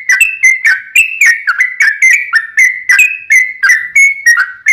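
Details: Sooty-headed bulbul singing as a lure to prompt other bulbuls to answer: quick string of clear whistled notes alternating slightly higher and lower, each with a sharp onset, steady throughout.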